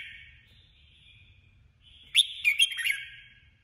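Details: After a soft drawn-out note, a female decoy red-whiskered bulbul bursts into a fast, bright warbling phrase of sharp chirps, part of competitive singing used with a trap.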